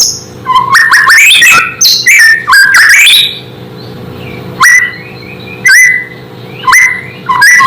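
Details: Murai, the white-rumped shama, in a song said to make rival shamas agitated; a burst of jumbled whistled phrases, then sparse single upslurred whistles about once a second over a steady low hum.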